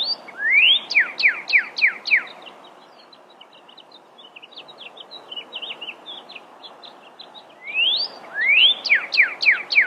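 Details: Pyrrhuloxia, or desert cardinal, sings two phrases. Each starts with a loud rising slurred whistle and runs into a quick series of about five sharp down-slurred notes. Softer chips fill the gap between phrases over steady background hiss.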